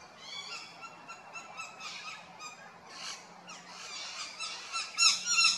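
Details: Raucous rainbow lorikeet calls recorded at Big Swamp Station in South Australia: overlapping grating screeches repeated at an uneven pace, growing louder toward the end with sharp piercing shrieks.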